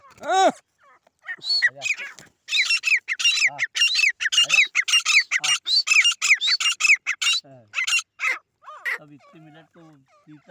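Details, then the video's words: A long run of loud, harsh, ringing grey francolin calls during a fight between local fighting birds, fast and packed for several seconds, then thinning into scattered softer notes. "देसी तीतर की लडाई// लड़ाकू तीतर Shekare titar ki awaz"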